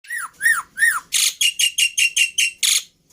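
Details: Black-winged myna (jalak putih) singing as a lure and tutor recording for caged birds: three arched whistles, then a fast run of eight harsh buzzy bursts about three per second.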